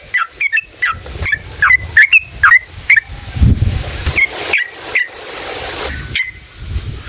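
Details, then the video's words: Yellow-vented bulbul giving ngalas ropel song used to excite other bulbuls into singing: fast bursts of sharp, bouncing chirps in two phrases separated by a short pause, with low background rumble. "SUARA trucukan gacor JITU NGALAS ROPEL PANJANG buat PANCINGAN agar burung trucuk gacor EMOSI"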